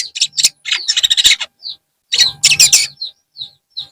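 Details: In the afternoon a long-tailed shrike gives dense scratchy chattering mixed with short whistled notes, then a few soft isolated chirps trailing off.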